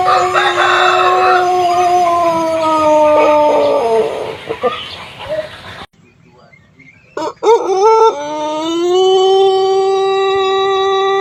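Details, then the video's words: Pelung chicken, a native Indonesian breed from Cianjur, West Java, famed for its long, melodious crow: a sustained tone slowly falling, a quiet gap with brief clucks, then another long crow held steady to the end. "Ayam Pelung Indonesia | Suara Kokok Panjang & Merdu yang Unik"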